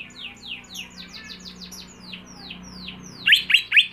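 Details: Greater green leafbird, a home-kept bird being trained for song contests, giving a fast run of thin descending whistled notes about eight per second, ending with three louder sharp chirps; a faint low hum underneath.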